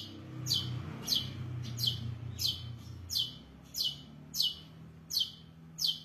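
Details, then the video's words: Long-tailed shrike (cendet) giving a sharp, high descending note repeated about every 0.6 seconds, nine times in a steady series, over a low steady hum. "cendet gacor isiannya mewah banget"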